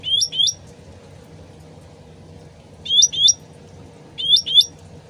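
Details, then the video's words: Sooty-headed bulbul, original voice used as a lure, with trickling water: paired bright upslurred whistles in three bursts, each pair quick and ringing, over a steady low water murmur. "PANCINGAN CUCAK RANTING SUARA ASLI DAN GEMERCIK AIR CEPAT NYAUT"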